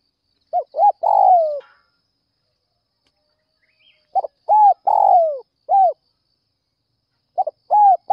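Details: Spotted dove calling in the early morning to lure other doves: three coo phrases, each a quick stuttered note, rounded arched coos and a long buzzy coo sliding downward, separated by pauses of about two seconds.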